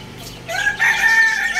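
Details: Young roosters playing on a roof give a short, hoarse crow fragment. It opens with a harsh rising note, then holds a strained, buzzy tone for about a second before breaking off.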